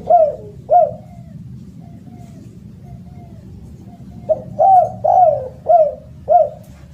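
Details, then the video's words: Loud spotted dove calling: two sharp coos open, then a long quiet gap of soft moaning notes, then a run of five clear arched coos at the end, with a low background rumble. "SUARA BURUNG DERKUKU ( suara keras )"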